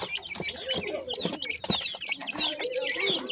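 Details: Several teetar (francolin) chicks chatter together: rapid high-pitched cheeps, some sliding downward, crowd over each other with faint soft lower notes beneath.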